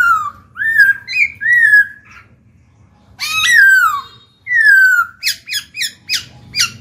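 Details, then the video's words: Black-throated laughingthrush in captivity singing to encourage new birds to sing: a run of looping whistled phrases, a pause, then a harsh rising and falling note and a quick burst of sharp chips. "Khiếu bạc má chuyền hót kích bổi mở mỏ ngay."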